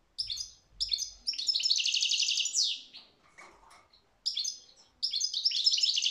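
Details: European goldfinch delivering rapid, dense twittering, including a long continuous trill-like stretch of fast high notes, then a short pause with a softer, lower murmur before fresh bursts of chirps.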